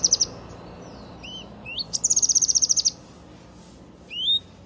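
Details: Energetic Yellow-eared spiderhunter song: rising slurred whistles alternate with a one-second burst of very fast high-pitched trilling, then a final sweeping upslurred whistle.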